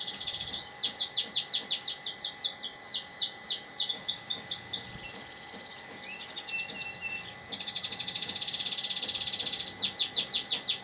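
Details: Canary singing in the morning, quick series of steep descending chirps, a brief pause with soft notes, then a loud sustained high trill ending in rapid sweeping notes, steady hum in the background.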